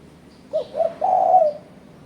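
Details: Spotted dove lure call aimed at rivals: one phrase of two short low coos followed by a long, even, sustained coo, with a faint high chirp behind.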